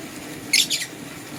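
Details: Green and blue lovebirds in the morning give two quick, harsh high chirps in close succession against a soft steady hum.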